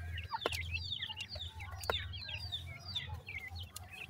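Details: Several grey francolin chicks from India call for their mother with rapid, high-pitched, falling cheeps crowding over one another. Occasional sharp taps and a low background hum are also heard.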